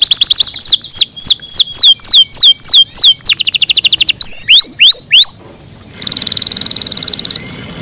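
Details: Canary kept in care singing in the morning: fast series of high descending whistled sweeps, then rapid trills, downward-swooping notes and a loud buzzy rolling tour near the end.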